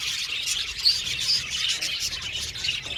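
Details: Happy budgerigars of an aviary colony chatter in a thick wash of high, rapid chirps and warbles, a few sharper squeaks rising out of the steady twittering.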